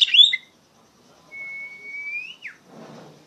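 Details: Oriental magpie-robin in loud open ngeplong singing, used to train untrained magpie-robins: a brief bright warbled phrase, a long flat whistle that climbs and drops sharply, then a soft rustling.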